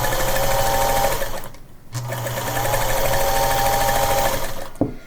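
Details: A sewing machine runs indoors in a small room with a steady rapid mechanical hum and whir, pausing briefly near the second mark before starting again; no animal sound is heard.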